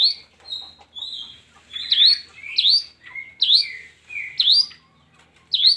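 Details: Song of a long-tailed shrike for luring idle shrikes into song: level whistled notes followed by repeated sharp upswept chirps paired with lower falling whistles, about one pair per second.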